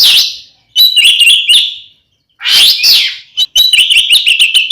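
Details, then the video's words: Kacer (Oriental magpie-robin) in aggressive ngeplong song meant to stir other magpie-robins: loud harsh swelling notes alternating with quick chattering runs of clipped repeated notes. "SUARA BURUNG kacer gacor NGEPLONG TARUNG"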